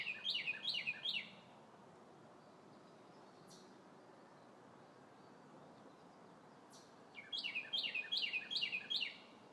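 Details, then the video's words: Red bird in the trees on a beautiful spring day, singing two bursts of fast, repeated downslurred whistles, about four phrases each, separated by several seconds of quiet outdoor hiss with two faint clicks. "Red Bird Singing!"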